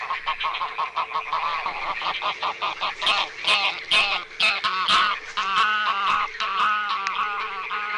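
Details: Geese at night on fishponds in the Barycz Valley honk in a loud, overlapping chorus, harsh nasal calls tumbling roughly twice a second, with no other sounds standing out.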